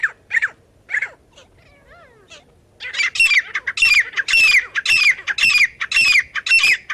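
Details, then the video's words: Partridges called in for catching: a few scratchy notes and a soft wavering whistle, then a loud run of harsh, rasping phrases, each a quick double-pulsed burst repeated roughly twice a second. "एक से एक बढ़कर तीतर पकड़ने की आवाज! The sound of catching partridges is better than the other"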